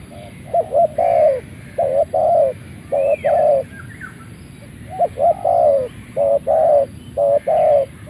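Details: ['Malay-line spotted dove, a caged decoy bird, cooing as soon as it leaves its box: clear low hooting phrases of several notes, repeated in groups with short pauses, over faint rural background hum.']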